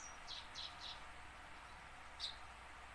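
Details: Tame house sparrow learning to sing, kept to coax newly caught sparrows into singing quickly; three short high chirps in quick succession, a pause, then one more chirp over a low steady hum.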